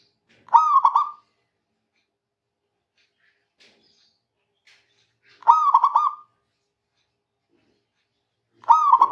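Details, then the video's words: Vigorously singing local zebra dove calling rivals, repeating a brisk, gurgling coo phrase three times at intervals of about four seconds in a quiet background. "Perkutut Lokal Gacor Memanggil Lawan Cepat Bunyi"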